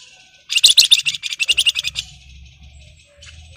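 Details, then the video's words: Excited Flamboyan in breeding condition calling to a rival: a loud burst of rapid, high chattering notes lasting about a second and a half, followed by a steady low droning hum. "SUARA PANCINGAN BURUNG FLAMBOYAN BIRAHI GACOR MANGGIL LAWAN"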